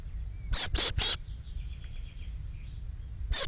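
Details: Eurasian blue tit fledglings departing the nest box in the early morning; three quick very high sharp calls, then faint distant twittering, and one more sharp call at the end.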